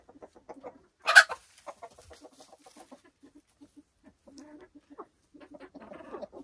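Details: Silkie chickens kept on a homestead in the Vermont hills: one sharp, loud squawk stands out among scattered low, soft clucks and short murmured notes spaced irregularly, followed by a busier patch of muttering.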